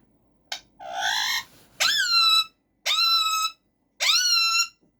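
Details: Caged male rose-ringed parakeet kept as a pet, producing loud harmonic calls: a buzzy rising note, then three drawn-out calls that sweep up and level off, each lasting about half a second, in a quiet indoor room.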